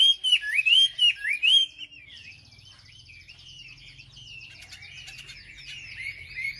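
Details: Wambi bird used as a lure to provoke other wambi birds: loud whistled phrases wavering up and down for about two seconds, then only faint, thin twittering over a low hum.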